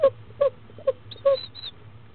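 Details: Female barred owlet in Florida, only hours old, during her second meal at 10am on 19 February 2015; four clear, slightly downslurred peeps in quick succession followed by two thin high whistles.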